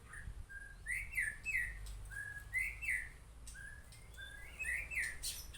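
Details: White-rumped shama, Murai Aceh type, giving clear whistled notes that slide upward in short paired phrases, repeated several times over a few seconds against a low background hum.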